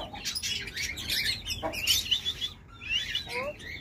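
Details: Alexandrine parakeet breeder pair, a hand-tame talking female and a wild male, giving harsh high chirps and squawks in quick bursts, some short rising notes, with a brief pause midway.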